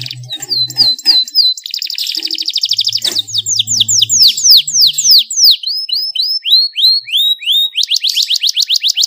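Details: Canary song meant to get other canaries singing: varied phrases of short whistled notes, fast buzzy trills and repeated sharp downward-sweeping chirps, several per second, with a faint low hum early on.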